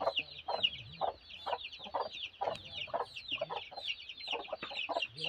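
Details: Broody hen giving steady, low, repeated clucks about twice a second, while a chorus of thin high peeps runs continuously above.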